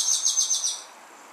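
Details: A short, high, ringing trill of about five rapid identical piping notes from a Carib grackle at dusk in Martinique, then quickly fading away.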